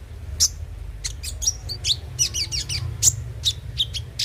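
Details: Van Hasselt's sunbird singing on a lure track meant to stir a bird into song: scattered high sharp chirps, a quick run of wavering twittered notes midway, low hum beneath.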